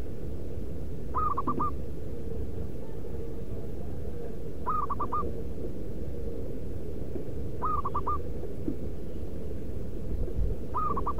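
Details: Local wild zebra dove in nature, its call used as a lure for other doves: four phrases, each a quick run of about four soft, hooked cooing notes, repeated roughly every three seconds over a steady low rumble.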